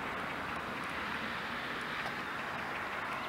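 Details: Steady broadband rushing noise, like flowing water, fills the scene with no clear animal calls.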